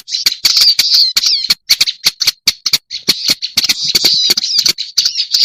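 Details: Harsh, scratchy chattering from a black-browed reed warbler in a lure recording. Clicking notes come in rapid bursts, with slurred rising and falling twitters early on and several brief silences.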